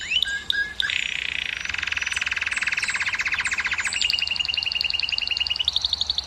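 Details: Singing canary, its song offered to stimulate females to mate: a dense, fast rolling trill in the middle register, then a higher, clipped, evenly repeated note series that steps up in pitch near the end.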